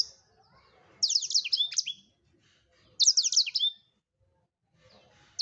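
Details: Blackthroat (black-throated canary) singing vigorously: two quick bursts of very high, sharp twittering with fast downslurred notes, about two seconds apart, separated by silence.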